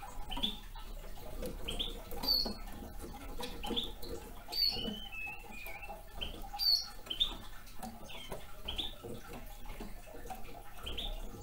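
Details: Repeated sharp, high chip calls from a young male red crossbill, spaced about every two seconds, with steady crackling and tapping sounds throughout.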